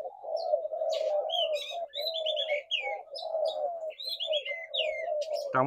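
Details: Low, rolling spotted dove coos form a steady bed beneath frequent bright chirps from other small birds, ending with a sharp click.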